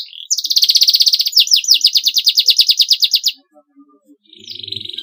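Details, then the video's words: Canary delivering a clean, long song: a sustained rapid buzzy trill lasting about three seconds, a brief pause, then another trill starting. "MASTERAN KENARI SUARA BERSIH PANJANG GACOR PAGI SIANG MALAM"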